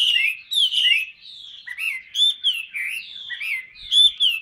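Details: A 'tam hoàng' hwamei kept in a cage, a big bird that sings a lot, delivers varied clear whistles. Looping rising and falling phrases are broken by brief gaps, some notes bright and ringing, others softer and slurred.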